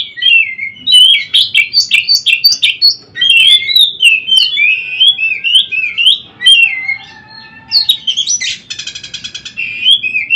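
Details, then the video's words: Oriental magpie-robin daily training song: a long stream of varied whistled phrases and trills, a brief quieter gap, then a harsh buzzy pulsed rattle before the whistling resumes. "Masteran Burung Kacer Harian"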